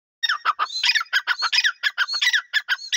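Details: Francolin, locally called dhakni teetar, giving a loud run of harsh, rasping notes in quick succession, each with a short downward slur, about one to two per second for three seconds, with no other sounds.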